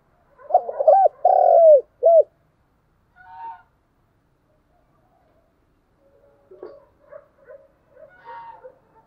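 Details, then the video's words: Spotted dove call used to lure and stimulate wild doves into cooing: one low hooting phrase, two short coos, a long rolled coo and a short final note, then quieter scattered coos. "tiếng cu gáy gọi mồi và kích bổi hiệu quả nhất"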